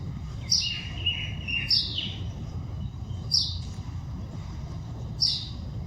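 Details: Bird chirping in the wild: four bright, high, short chirps spaced about a second or more apart, with a softer, lower warbling phrase early on, all above a constant low background hum.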